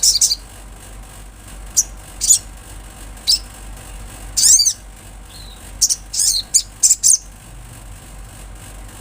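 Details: Olive-backed sunbird, said to be natural: scattered high, thin chips and one loud, descending, sweeping note, with short bursts of bright twitters, over a low hum.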